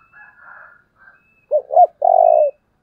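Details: Decoy dove coo used to excite wild doves: faint higher bird chatter, then two quick low coos and a sustained, throbbing, gently falling coo.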